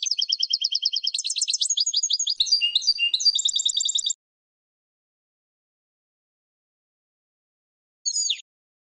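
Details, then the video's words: European goldfinch song played for training other birds: four seconds of rapid, tinkling twitters and trills, a long silence, then one short buzzy note near the end. "GOLDFINCH THE BEST SONG"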